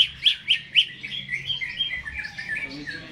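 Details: Caged greater green leafbird singing energetically before being hung up. Three loud, sharp, evenly spaced chip notes lead into a softer, rambling warble of high twittering phrases.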